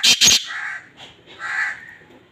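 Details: Black francolin breeding call: two sharp, loud clicks open the recording, followed by a pair of harsh, rasping notes about a second apart, then a quiet background.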